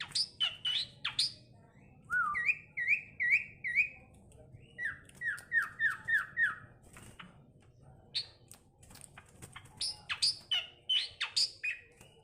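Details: Asian pied starling, tame and vocal, able to talk: sharp high chips, then rows of short rising whistles repeated in series, two runs of about five each, ending in more harsh chattering notes.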